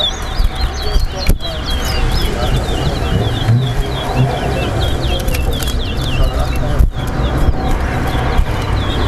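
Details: A chestnut-bellied seed finch (towa towa) sings during a whistling competition at Better Hope bird ground. It gives fast chains of high whistled, slurred notes, strongest at first and then softer. Crowd noise and a low hum run throughout.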